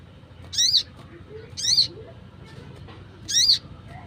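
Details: Wild Crimson Sunbird calling, sound used to lure wild birds: three sharp, high, slightly wavering chirps spaced about one second apart, with a faint low hum underneath.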